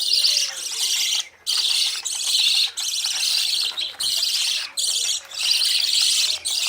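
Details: Newly fledged budgerigars chasing parents for feeding; rhythmic blocks of loud high twittering about a second long, each cut by a short silence, with a faint low hum beneath.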